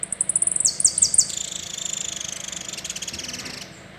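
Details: Complete saffron finch song of the "el rollo" type, opening with rapid high chips and a few dropping slurred notes, then running into a long dense buzzy roll that fades out near the end.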